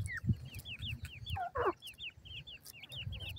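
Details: Grey francolin chicks calling while being fed: quick, high, slurred peeps repeated in a busy chorus, broken by one louder harsh squawk-like note, over a constant low background hum and a few knocks.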